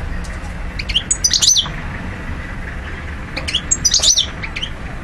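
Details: European goldfinch in Algeria, 2012: two short bursts of high twittering and slurred notes separated by a pause, over steady low background noise.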